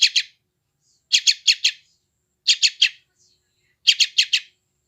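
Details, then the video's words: Sooty-headed bulbul chick calls from West Java, phone-recorded to help newly caught wild birds lose stress and respond: short rasping high chirps in groups of two to four, spaced over a second apart. "SUARA BURUNG ANAK TRUCUKAN GACOR"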